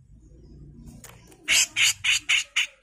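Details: Grey-cheeked bulbul master recording for training songbirds, a harsh, loud full song; after a quiet start with low hum, five rasping, broadband notes burst out in quick succession, each about a fifth of a second long.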